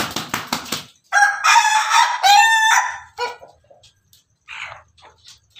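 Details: Ayam Ketawa rooster, red, crowing melodiously from on top of its coop: a fast run of short rhythmic pulses, then two loud sustained rich harmonic bursts, followed by softer stuttering notes and quiet gaps.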